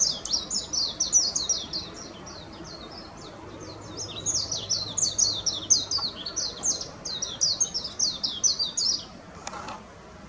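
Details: Japanese white-eye, Zosterops japonicus: a long, fast run of high, thin twittering notes tumbling up and down for about nine seconds, then a brief pause with a faint click near the end; soft background hum.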